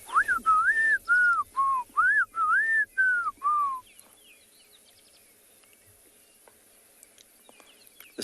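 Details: During a warm morning game drive in a South African private game reserve on 16 October 2020, a Black-crowned Tchagra gives about eight slurred whistles in the background, each rising then falling, the last ones sliding lower, with faint chirps following.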